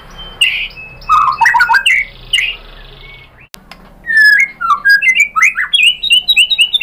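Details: White-rumped shama lure song meant to make other shamas answer and sing: harsh squawky and whistled phrases, a quiet pause midway, then a lively run of short rising whistles.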